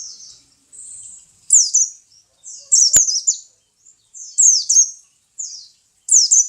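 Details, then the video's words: A pet pleci, or white-eye, sings very high, rapid twittering phrases about a second long, each made of quick down-slurred chirps, with one sharp click partway through. "My pleci bird"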